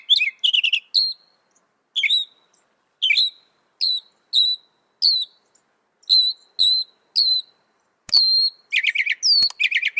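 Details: Clear whistled notes from a northern mockingbird, a mimic said to manage 200 sounds, come singly or in pairs about every second, followed by a new phrase of harsher repeated chirps.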